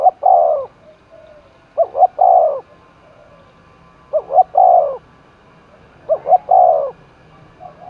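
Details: Contest-roused spotted dove, Dong Nai forest, Vietnam, cooing in steady phrases: two quick notes then a longer warbling coo, four phrases about every two seconds, quiet background.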